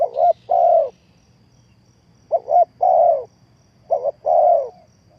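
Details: Spotted dove call played as a trapping lure: three low phrases, each opening with a quick doubled note and ending in a longer, slightly falling coo, separated by a long pause.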